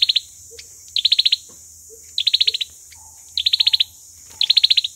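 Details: Olive-backed sunbird lure bird in fighting song: five bursts of fast, bright, high staccato notes, with soft low notes heard between them.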